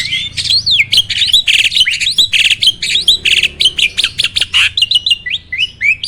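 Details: Energetic starling song used to incite other birds to sing: dense, unbroken chatter of rising and falling whistles mixed with harsh scratchy notes, delivered rapidly for several seconds.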